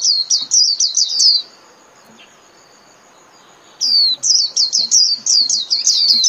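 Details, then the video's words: Japanese white-eye in 'líu' song style, played for caged birds half an hour daily: rapid bursts of high, thin downslurred notes tumbling in quick chains, a pause, then another fast twittering run. "TIẾNG CHIM KHUYÊN LÍU CỰC CHẤT"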